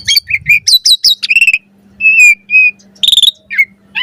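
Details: Asian pied starling in full varied song for training other birds: quick clicking notes, a stuttered buzzy trill, two flat whistles, then a harsh burst and a falling chirp after short pauses.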